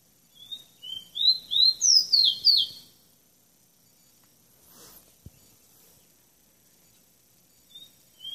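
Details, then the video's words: Tropical bird singing a quick burst of about six bright, high whistled notes that step upward in pitch over two seconds, then falls silent apart from a soft knock, with two brief high notes returning at the end. "Singing tropical bird"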